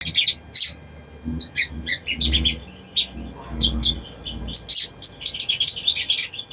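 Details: Little spiderhunter song used as a lure recording to stir a reluctant bird into singing: rapid bursts of high, thin chirps and sharp ticking notes, tumbling in irregular clusters with brief pauses, over a faint low background rumble.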